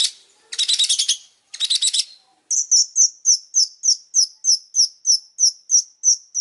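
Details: Long-tailed shrike in vigorous song: two harsh rattling bursts, then a steady series of high, sharp chirps repeated about three times a second.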